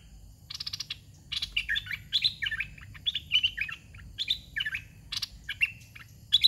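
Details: Red-whiskered bulbul kept in a cage, trained bird number 61, giving the 'soe pa' phrasing: clicky notes then lively whistled, up-and-down warbles in repeated short bursts, little else audible.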